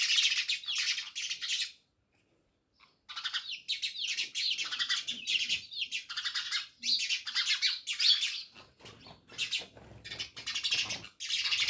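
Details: Flock of house sparrows living around a village house at Jamnagar chattering almost without pause, with dense overlapping sharp chirps and one brief lull, giving a busy, continuous chorus.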